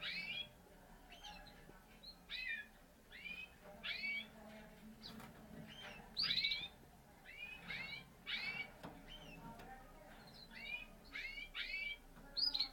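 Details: Parisian frill canary, a frilled canary breed from a Spanish champion breeder, singing bright whistled notes that rise and fall, delivered in quick bursts about every half second, over a steady low hum.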